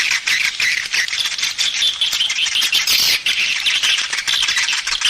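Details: Swiftlet calls meant to lure swiftlets: continuous high, scratchy twittering and buzzy chatter with no pauses, rising and falling in loudness.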